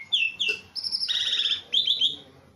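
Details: Tame, caged Javan pied starling singing: loud whistled notes, a harsh buzzy rattled phrase, then bright rising whistles, with faint background hum.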